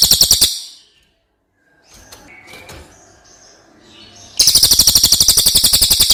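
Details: Cililin song for tutoring other birds: a trill ends, a pause with faint chirps and rustling follows, then a long, shrill, fast-pulsed roll resumes.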